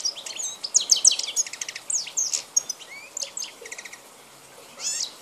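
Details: Wild European goldfinch of the Balkan form, recorded 2010: rapid liquid twittering song of high tinkling notes, buzzy trills and quick rising slurs packed closely together, a brief pause, then a final burst of notes.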